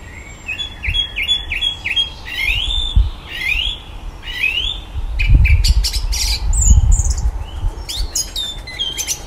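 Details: Evening garden song of a common blackbird that mimics electronic noises: a row of rising whistled sweeps, then sharp clicks and high electronic-sounding squeals, with low rumbling thuds in the background.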